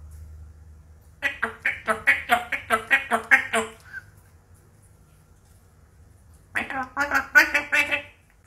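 An African grey parrot talks in quick, clipped word-like bursts, a run of about ten syllables, a pause, then another short run.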